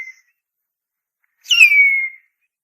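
A harpy eagle gives a single high, thin whistled wail that starts harsh, slides down and holds a steady tone before fading. The tail of an earlier call opens the clip.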